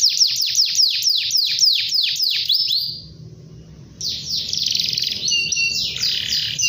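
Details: Canary in full long song, calling to a rival, fires rapid high downward-swept notes about four per second, pauses briefly, then resumes with dense trills and chirps.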